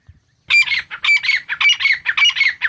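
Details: Wild Grey Francolin pair, male and female, calling while feeding in natural jungle forest: loud harsh ringing phrases repeated about every half second, five in quick rhythmic succession, following a short quiet gap.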